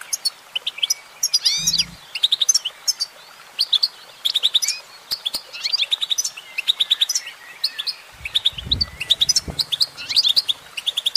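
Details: A goldfinch female in song, delivering rapid high chirps and rising twitters in tight bursts, with occasional curving slurred notes and two short low thuds in the background.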